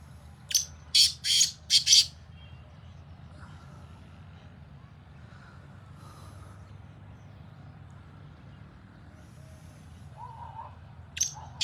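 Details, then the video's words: Black francolin calling out in fields: three or four loud, scratchy, buzzy notes delivered rapidly, then a long quiet stretch with faint low rumble, and another harsh note beginning near the end. "Francolin speaking in fields Sindhi Kala Tetar Awaz"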